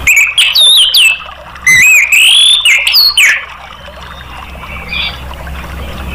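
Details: Orange-headed thrush song, used to make other caged birds sing: a series of loud whistled phrases with swooping rises and falls and buzzy overtones for about three seconds, then faint notes and hiss.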